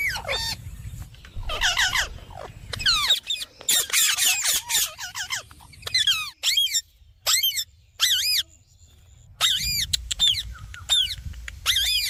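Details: Talking rose-ringed parakeet making squeaky, ringing arched notes in rapid strings, then short clipped chirps separated by brief pauses, with a faint low hum underneath.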